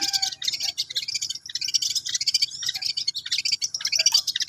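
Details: Long-tailed shrike, known locally as cendet, learning to sing: a dense, scratchy chatter of rapid high notes runs without pause, with a few brief lower whistles near the start.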